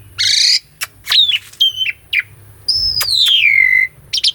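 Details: Master song from an Asian pied starling meant to provoke a silent starling into singing: a harsh buzzy burst, sharp clicks and chirps, then a long clear whistle sliding smoothly downward.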